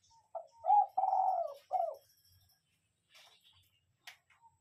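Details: Cooing of a spotted dove used as a lure bird, gáy gù style: one low phrase of a short note, a rising coo, a long buzzy coo and a dropping last note, followed by faint clicks and rustling.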